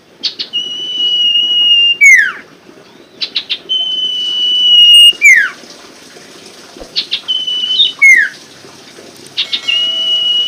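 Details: Common Iora (sirtu), played to prompt birds that stopped singing: long even whistles each closing with a steep downward slur, repeated about four times with short clicks between.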